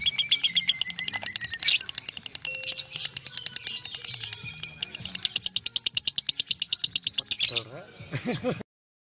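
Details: Lovebird in a long continuous singing bout of rapid, shrill chattering chips with brief whistled slides, running for about eight seconds before ending in a few harsh notes.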